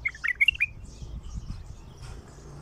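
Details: Wild-caught, untrained bulbul singing for the first time, in the Baghdadi 'Alwazi' song style: one quick burst of clear whistled notes, rising and falling, in under a second, followed by quiet low rumble.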